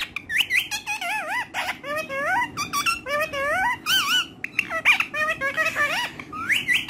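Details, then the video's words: Pet ringneck parrot, friendly with everyone, talking in Urdu and Hindi indoors: a fast run of high, wavering, speech-like syllables that sweep up and down, with short pauses between phrases. "Ringneck Talking Parrot So Friendly With Everyone"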